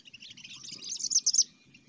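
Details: Sooty-headed bulbul singing cengkram style for a luring hobby: one brief, rushed phrase of scratchy high chatter rising to a few sharp, loud peaks, then fading, with a soft low hum beneath.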